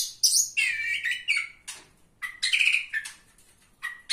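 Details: Oriental magpie-robin at a singing competition, placed third, giving loud phrases of bright whistles and harsh, buzzy notes in bursts roughly every half second to second, with short gaps between.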